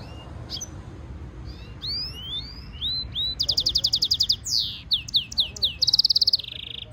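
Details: Hybrid goldfinch mule in training song, opening with sparse upslurred whistles that build into a fast, dense, buzzy trill, swooping notes and a closing high rattle, roughly 200 notes a minute.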